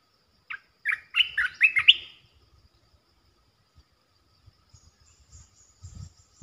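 A red-eyed bulbul gives a quick bubbly phrase of about six liquid, warbling notes over under two seconds. Faint low thumps follow.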